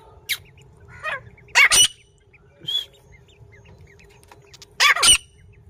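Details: Female grey francolin, or teetar, calling in Pakistan with sharp, scratchy double notes repeated at intervals of a few seconds, plus fainter softer notes between them and a low steady hum.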